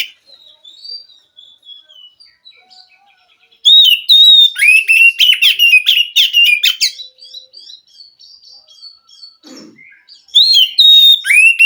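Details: Wild forest Oriental magpie-robin (kacer) singing, said to respond to and rouse a captive bird reluctant to sing; after a quiet stretch of thin faint whistles, loud bursts of rapid, varied, high whistled and chattering notes, then a second burst at the end.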